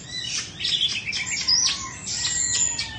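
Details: Oriental magpie-robin of Indonesian origin, kept caged, two seasons old and without faults. It gives a dense rush of shrill whistles and grating notes with brief pure tones. Faint low hum underneath.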